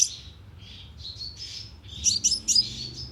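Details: Sunbird lure call played from a loudspeaker trap to attract birds: high thin chirps and short buzzy notes, scattered at first, then a brighter cluster of sharp twittering notes near the end.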